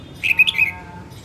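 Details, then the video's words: A female red-whiskered bulbul gives one short, loud, bright phrase of four slurred whistled notes, with a faint steady tone in the background. "Chào mào hót | luyen giọng chao mào | Chào mào mái"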